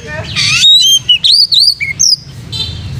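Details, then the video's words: Oriental magpie-robin in full song, used as training material to spur other magpie-robins to sing: a rasping buzzy burst followed by quick varied whistles, slurred high notes and short chirps, with a constant low background hum. "KACER MANAPUN IKUT GACOR PLONK COCOK BUAT KACER BAHAN MELATIH MENTAL KACER"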